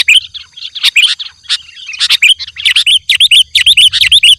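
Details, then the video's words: Chatty sooty-headed bulbul used to call wild bulbuls: bright, bubbly whistled notes rising and falling, given in quick repeated phrases over about two per second, mixed with sharp clicking chips. "Suara Burung Kutilang Gacor Memanggil Kutilang Liar"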